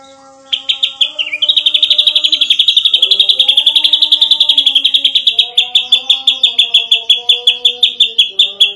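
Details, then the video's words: Ashy drongo singing in the lively, rapid-fire gacor style called nembak rapat, used as a masteran training song: dense shrill notes repeated about three times a second, with softer lower whistled phrases underneath. "Burung Srigunting Abu - Abu Gacor Nembak Rapat"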